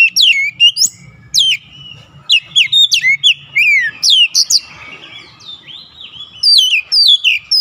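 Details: Persistent oriental magpie-robin delivering its learned fill-in phrases: rapid sequences of clear, downslurred whistles and chirps, a softer trilling stretch mid-way, then further sharp whistled bursts.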